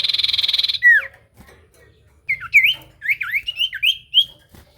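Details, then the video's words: Common iora song used as a lure to draw replies from other ioras: a loud pulsing buzz first, then a quick run of whistled notes rising and falling in short slurred phrases. "Suara Burung sirtu cipoh gacor pancingan paling Handal bikin sirtu lain langsung nyaut"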